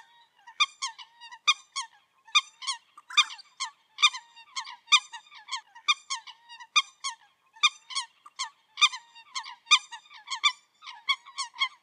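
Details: Eurasian coot sounds recorded in 2023: a fast, steady series of squeaky, nasal, harmonic-rich notes, roughly one per second, some clustered in quick pairs, continuing without pause over a quiet background.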